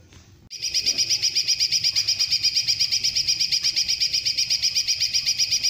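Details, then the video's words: After a brief quiet start, a greater green leafbird launches a long burst of quick, shrill, evenly spaced notes, its song filled with kingfisher-style rolling shots. The burst carries on steadily to the end. "cucak ijo tembakan panjang"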